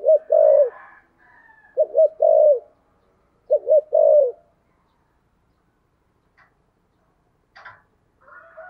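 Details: Three back-to-back low cooing phrases from a spotted dove in "thổ sấm" voice, "thúc gù" style, each two wavering notes then a longer coo, about every one and a half seconds, followed by quiet and faint distant sounds.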